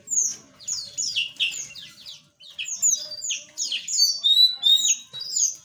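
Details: Several small aviary birds chirping together in a dense, overlapping chorus of short, high, sharply falling tweets and whistled notes, a few steady upslurred whistles near the end.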